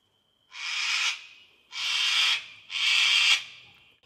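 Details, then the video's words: A sulphur-crested cockatoo in an Australian backyard, eating leftover pizza with others waiting in trees, gives three harsh, raspy screeches, each under a second, about one per second; owner thinks it is calling in the flock. Faint steady background tone. "SCREECHING Australian Cockatoo"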